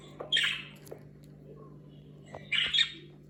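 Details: Budgerigar sounds around its talking: two short, scratchy, warbled chirp bursts about two seconds apart, against a quiet background with a faint steady low hum.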